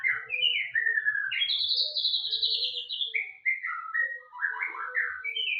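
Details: White-rumped shama singing vigorously: a rich run of clear whistled phrases, sliding notes dropping and rising, a high rapid warbling stretch held for over a second mid-way, then lower fluty notes and quick chirpy flourishes.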